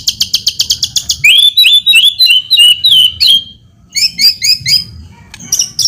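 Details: White-rumped shama singing vigorously as a lure for other birds: a rapid ticking trill, then clear sliding whistles and twisting phrases, a brief pause, and a return of high chattering notes.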